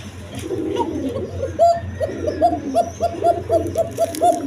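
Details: Local and foreign colouring pigeons with eggs and chicks: soft, murmuring coos at first, then quick hooked notes repeated about four times a second over a low background hum.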